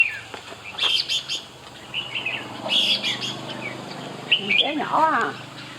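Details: Red-whiskered bulbul singing short warbled, slurred phrases in separate bursts, with a person talking briefly near the end.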